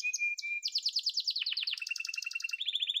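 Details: A yellow domestic canary sings a low steady whistle, then rapid repeated bright chips that slide into a mellower rolling trill and end in clipped high notes.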